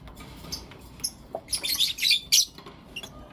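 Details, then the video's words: Pet lovebirds, blue opaline and lutino opaline, in the morning: a few scattered thin chirps, then a loud cluster of rapid harsh, buzzy high chirps lasting about a second before falling quiet again. "Lovebird Chirping Sounds and Call Sounds"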